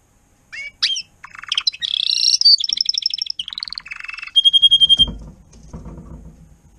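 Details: Adult Timbrado canary tutor singing for young canaries in training, recorded 2021: short whistled notes, then dense buzzy and metallic rolling trills, fast pulsed series and a held whistle, with faint low background rumble near the end.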